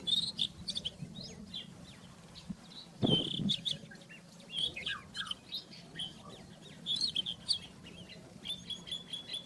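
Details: Wild rufous-tailed scrub robin singing short, high, varied chirps and brief whistled notes in quick, uneven bursts, with a low steady hum and one dull knock behind.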